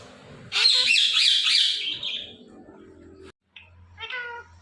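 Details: Ringneck parrot gives a harsh, loud, buzzy squawk lasting about a second and a half. After a short gap comes a brief nasal harmonic call. The setting is a quiet room.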